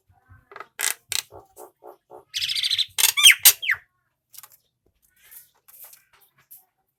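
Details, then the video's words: Male Nias hill myna whose song is used to train other birds: a run of harsh, evenly spaced clicking rasps, then a buzzy burst and loud falling whistled notes, fading into soft scattered clicks. "Jalak nias jantan cocok untuk masteran tanpa suara manusia"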